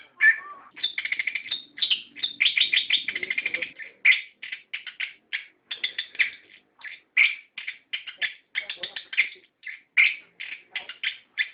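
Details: Orange-headed thrush song, played as a lure so that captive birds answer and sing in gacor ngerol fashion: rapid, busy bursts of scratchy notes and whistles, crowded in the first four seconds and then falling into shorter, steadily repeated phrases.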